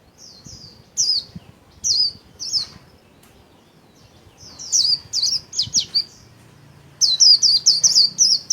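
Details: Caged Japanese white-eye kept as a songbird, singing in the "líu" style while spreading its wings: high, thin, sharply slurred whistled notes in short bursts and quick runs, with brief pauses between phrases and a dense run at the end.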